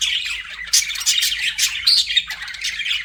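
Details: Singing budgies give a busy stream of squeaky chirps and buzzy squawks, several sharp whistled notes standing out over constant chatter.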